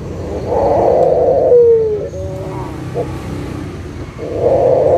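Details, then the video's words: Local Barbary dove, used as a lure to make silent doves call again: two low, rough cooing bursts at the start and end, separated by a quieter stretch with a brief thin whistle and faint background noise. "SUARA PIKAT PUTER LOKAL GACOR_SUARA PANCINGAN BURUNG PUTER MALAS BUNYI AGAR BUNYI LAGI"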